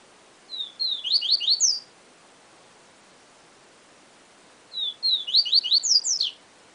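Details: Yellow-bellied seedeater (papa-capim) singing the Siu Siu Professor song style: two high phrases about four seconds apart, each opening with level whistled notes and then a quick run of rising, slurred bright notes, over a steady hiss.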